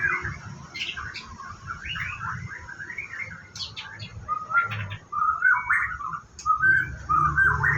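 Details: White-rumped shama at a bird farm, morning before bathing, singing loose whistled phrases and chattering notes, some short clear whistles later, with low rumbling noise in the background.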